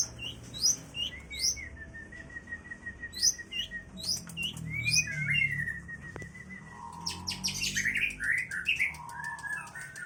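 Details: Long-tailed shrike, energetic and full of filler phrases: a varied medley of sharp chirps, thin drawn-out whistles and buzzy trills that changes phrase every few seconds, with a low rumble underneath.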